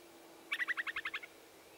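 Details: Upland sandpiper on the Baraga Plains, Michigan, in burned jack pine regrowth on 21 June, giving a quick stuttering series of about nine sharp, evenly spaced notes lasting under a second, with a faint steady hum beneath.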